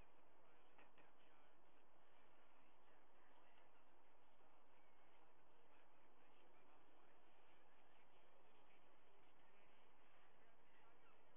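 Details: White-bellied sea eagles at a nest with two well-fed eaglets during a day of fish deliveries and feedings, 21 August 2022, nest camera: repeated harsh, honking call notes in quick series over steady background hiss.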